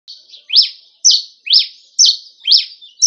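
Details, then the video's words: Cravina from Rio Grande do Norte, Brazil, singing in the campina style: a steady series of sharp, high, slurred notes, about two per second, each falling then leveling into a brief buzzy tail. "Cravina boa do rn canta en igual campina"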